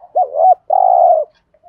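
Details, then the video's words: Single 'thúc gù' phrase from a spotted dove used as a decoy: a low looping two-note start, a brief pause, then a steady rolling coo, with a faint soft note trailing after. "tiếng chim cu gáy thúc gù bài bản, chim cu mồi gù thúc, cu gáy thúc gù"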